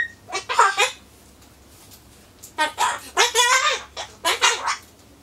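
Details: Pet Solomons corella indoors, talking to itself while waiting for pumpkin: a brief whistled note, then three bursts of raspy, speech-like mimicked words separated by short pauses in a small quiet room.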